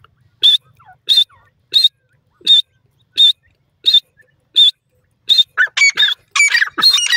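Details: Grey francolin, also called grey partridge, with its chick: sharp high notes repeated about every 0.7 seconds, then a burst of harsher, overlapping calls near the end.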